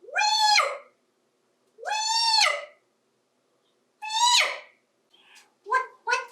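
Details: A 28-year-old adopted male African Grey parrot, which learned a long "Hi-iiii" from a cockatoo, repeats drawn-out, clear, tonal calls, each rising and then falling. Three long calls are followed by three short clipped ones.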